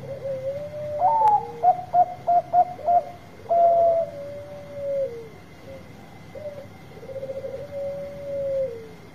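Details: Loud Bangkok zebra dove song for prompting reluctant birds: a burst of six short, fast hooted notes, a long falling coo, then scattered softer coos and a purring trill that slides downward near the end. A thin high tone sits behind.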